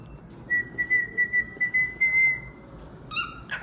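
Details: Pet cockatiel singing and chirping: a steady run of clear, even-pitched whistled pulses, about five per second, that merge into a long held whistle, followed by a short harsher chirp near the end.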